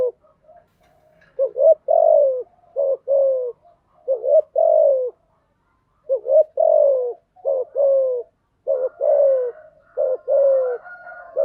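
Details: Lure song of the spotted dove for teaching new captive birds to sing; a run of repeated phrases, each a quick double coo then a longer falling note, with a faint second dove cooing underneath.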